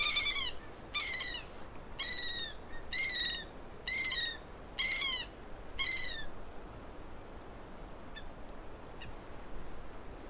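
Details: An Andean gull (Chroicocephalus serranus) in Peru gives a run of seven harsh, nasal squawks about once a second, then falls quiet. A faint background hiss follows.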